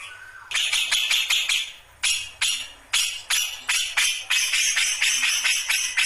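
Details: Grey-cheeked bulbul (cucak jenggot) just starting its ngombyok song style: harsh, buzzy chattering notes in quick bursts, a short lead-in then a run of rapid, irregular repeated rasps after a brief pause.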